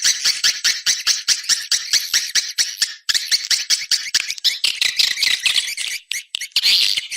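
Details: Swiftlets in an external sound recording, a dense flock chorus of harsh, buzzy chittering chirps packed close together, with brief gaps around three and six seconds.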